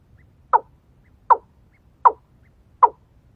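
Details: Watercock lured with a female decoy bird: four short, hollow knocking notes, evenly spaced about every three-quarters of a second, over a quiet, low background hum.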